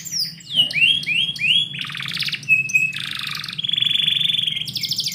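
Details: Morning song of a canary kept indoors: quick falling whistled sweeps, harsh buzzy bursts, a thin sustained note, then a rapid pulsing trill ending in a high rattle, with a constant low hum behind.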